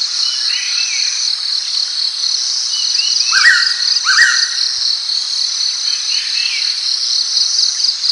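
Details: A single double whistle from a pitta, two quick upslurred notes close together, over a persistent shrill insect chorus and soft distant chirps.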